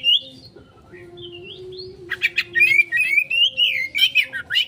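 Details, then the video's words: Oriental magpie-robin song used as a lure to provoke a quick response: a few thin high whistles, then a fast run of sharp chirps and warbled notes, over a steady low hum. "Pancingan Burung Kacer konslet,respon cepat...!"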